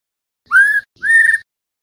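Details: Two clear, rising whistled notes, each about a third of a second, with a short pause between them. They come from a white-rumped shama night lure recording made for training Indonesian competition songbirds.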